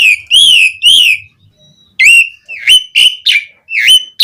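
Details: Asian pied starling song played as a lure to make captive starlings sing: two long, bright, rolling whistles, then a pause and a quick run of sharp, upslurred and downslurred whistled notes.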